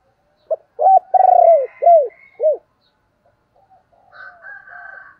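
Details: Spotted dove kept as a decoy, calling: a short note, then a run of low, hoarse, arched coos with one longer drawn-out phrase, over about two seconds. Fainter, higher warbling from another bird follows.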